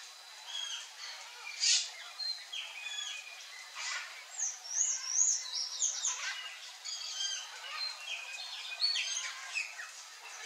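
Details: Wild, free Curl-crested Jays in Brazil give a busy run of harsh bursts and sharp chirping notes, loudest near two and four seconds, with other high chirps mixed in.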